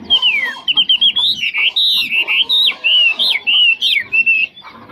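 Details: Caged Chinese hwamei called 'mộc chuyền', singing well with no faults; bright whistled song of falling slurs then a chain of short wavering, up-and-down notes, clean and loud.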